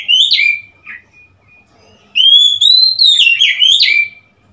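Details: Oriental magpie-robin, recorded 3 March 2021: a quick upward whistle and a few soft short notes, then after a pause a loud two-second phrase of clear rising and dipping whistles ending on a drawn-out note.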